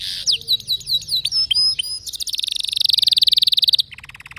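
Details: Canary song opening with looping whistled phrases and clear held notes, then shifting into an intense, fast, buzzy trill that swells and runs for over a second before breaking off.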